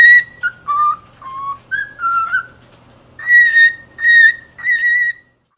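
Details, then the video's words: Cockatiels singing: drawn-out pure whistles, some level and some gently falling, followed by three loud sustained whistled notes at the same pitch with rich overtones, separated by short silences. "شاهد اروع غناء من طيور الكوكتيل خرافي"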